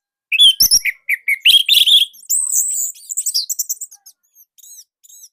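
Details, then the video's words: Orange-headed thrush, Indonesia, a loud and tight song used as training material: quick descending whistles leading into a long, high, buzzy run of notes that fades into faint chirps. "Anis Merah Indonesia //Masteran Paling Enak."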